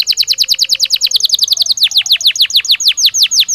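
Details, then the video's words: Belgian canary singing naturally for training: a quick rolling trill of descending notes that slows midway into larger, louder downward-sweeping whistles, about four per second. "Som de 1 Hora com Canario Belga Cantando Naturalmente – Ideal Para Estímulo Diário"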